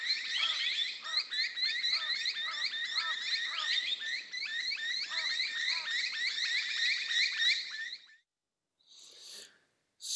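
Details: Australian community of noisy miners alerting each other to danger, giving harsh, rapid, high chattering alarm calls together as a collective wall of sound lasting about eight seconds before it stops; Noisy miner.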